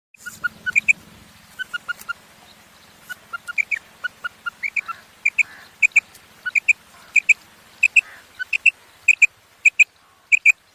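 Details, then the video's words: A female common quail gives sharp, high, paired notes, mostly in quick doublets about every half second, over a faint low hum. "Female Quail Sound"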